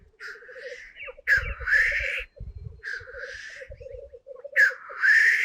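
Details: Black grouse males display at a lek in the 2025 season, on high ground before dawn around 4:15 am while still dark, some very close. A steady low bubbling coo runs beneath loud, explosive hissing sneezes every two seconds or so, with a few faint thumps.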